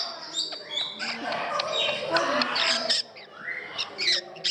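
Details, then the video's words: Parrots in an indoor parrot house in Gdańsk, Poland, giving a dense mix of harsh squawks and sharp chirps, with people's voices and hall echo in the background. "Parrots in Gdansk, Poland vol.2 / Papugarnia (Gdańsk)"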